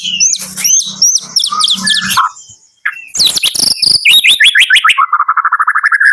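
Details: White-rumped shama from Medan singing in the morning: dense high chirps over a low steady hum, a short break, then descending sharp notes and a rapid, even trill.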